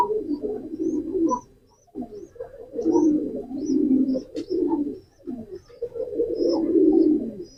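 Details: Pigeon cooing: low, throaty rolling coos in long bursts separated by short pauses, with faint thin high chirps above.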